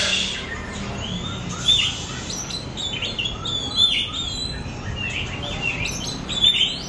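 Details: Oriental magpie-robin lure recording for pet birds: soft chattering chirps punctuated by loud pure whistles about every two seconds, over light hiss.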